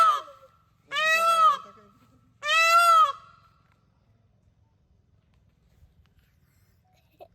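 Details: An Indian peafowl in Duarsini forest near Jhilimili, Bankura, West Bengal, gives two loud, nasal, wailing calls, each with a slight rise and fall, about a second and a half apart, followed by near silence.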